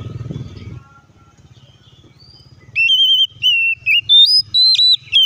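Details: Quiet at first with a low rumble, then an oriental magpie-robin starts whistling to provoke others to sing: clear sustained notes broken by sharp downward dips, delivered in rapid separate bursts.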